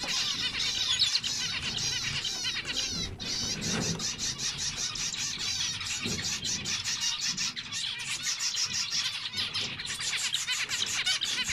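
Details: Constant busy chatter of zebra finch song, with many nasal toots and buzzy notes packed together and overlapping throughout, and a low rumble underneath.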